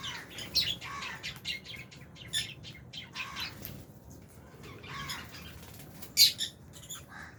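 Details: Lovebirds, Fisher's and albino, eating in an aviary shared with budgies; scattered high chirps and squeaks with softer chatter between, and a sharp louder squeak near the end amid light wing flutters.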